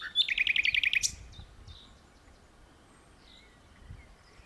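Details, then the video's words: Common nightingale singing from an open perch in a tree: a loud, rapid series of about a dozen sharp, ringing high notes in one second, followed by quieter scattered phrases and low background rumble. "Nightingale Singing"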